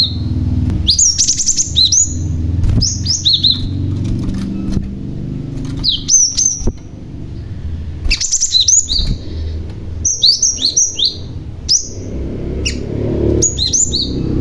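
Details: Male cinereous tit, kept as a lure bird to make other tits respond. Clustered phrases of shrill, downward-sweeping chirps repeat roughly every two seconds over a low background hum.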